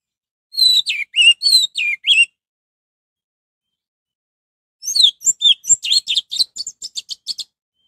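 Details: Orange-headed thrush singing to provoke other thrushes into calling: an evenly paced phrase of repeated chirps, a pause of nearly three seconds, then a longer, faster series of notes that speeds into a twittering run.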